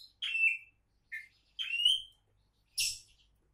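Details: Oriental magpie-robin, a champion-candidate bird, singing clear whistled notes that glide slightly upward, spaced about half a second apart, followed by one harsh squeaky burst.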